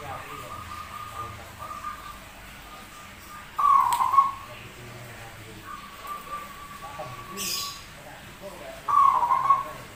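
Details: Rare zebra dove with an odd-sounding voice that sings a lot: two loud rolling coo bursts, about five seconds apart, between softer sustained tones, with a brief hiss of noise in between.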